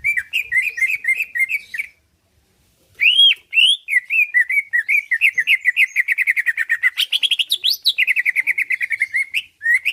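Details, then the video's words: Greater green leafbird, caged, singing to provoke rivals into replying and fighting: fast repeated chirps, a brief pause, then a long run of rapid rhythmic notes climbing into higher sweeping whistles before dropping back. "Cucak ijo lain liat dan dengar kicauannya bakal nyaut+gacor+tarung"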